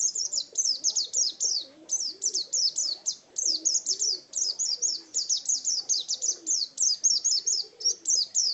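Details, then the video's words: High, quick, chattering phrases of sharp slurred notes from an Oriental white-eye singing wild-type ngalas song, grouped in short runs with small gaps, faint low murmuring noise in the background. "Suara Burung Pleci Ngalas Burung Kacamata Durasi Panjang"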